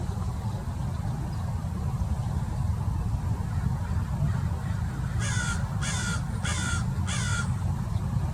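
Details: A murder of more than 30 wild American Crows gathered near a Peregrine Falcon in Mason Regional Park, Irvine, California, mobbing it; four loud, grating caws in an even series over a constant low-pitched background roar.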